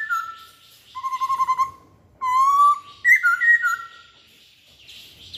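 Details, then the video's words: A masked laughingthrush gives a lure song of steady whistled tones, some broken into fast pulses and others held smooth, followed by warbled two-pitch phrases and a fading faint hiss. "Kicauan Poksay Hongkong"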